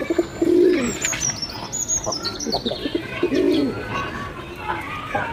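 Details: Foraging pigeons, with two low, throaty, rolling coos about three seconds apart over scattered taps, faint chirps and human voices.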